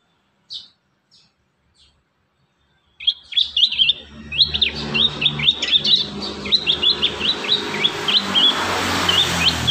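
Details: Prinia song used to train young prinias to sing. After a few isolated high clicks, a fast, steady series of sharp, high chirps runs over a loud broadband hiss and low rumble.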